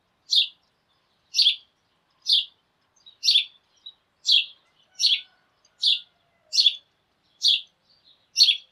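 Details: Sparrows in the morning, a flock calling together and hopping about: clear, sharp single chirps repeated about once a second, ten in a row, with a faint extra note between some, otherwise quiet.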